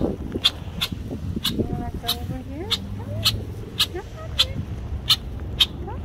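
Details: Male red-winged blackbird protecting its nesting area, watched from a kayak; sharp, clipped check notes repeat roughly every half second, with low sliding tonal sounds and murmuring voices underneath.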